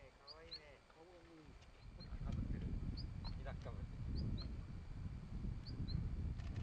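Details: Long-tailed rosefinch (Carpodacus sibiricus) among flowering quince: soft, high two-note whistles, falling slightly, about every second, over low rumbling wind noise and a brief human voice at the start.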